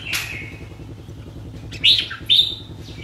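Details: Cage-kept red-whiskered bulbul with a sharp opening note, a quiet stretch, then two emphatic bright whistles, the second a level clear tone, above a faint background hum.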